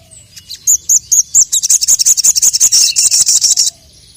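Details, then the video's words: Crested jay calling out a rival. Four spaced, high chipping notes quicken into a dense, rapid metallic rattle lasting about two seconds, then silence. "BURUNG SOGON GACOR MEMANGGIL LAWAN, 100% LANGSUNG EMOSI"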